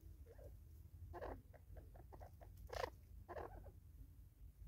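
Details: Natal spurfowl squabbling over food in South Africa, 2024: a run of short clipped notes leads into rough, grating squawks near 1.2, 2.8 and 3.4 seconds, with low background rumble throughout.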